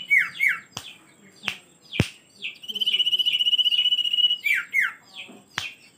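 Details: Common iora: slurred falling whistles and sharp clicks, then a sustained high pulsing trill of about a second and a half, followed by more descending whistled notes and clicks.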